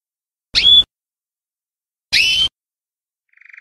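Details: Belgian canary, pure campainha style: two brief whistled notes with sharp attacks, spaced well apart, followed by the soft, rising start of a rapid trill. Otherwise quiet.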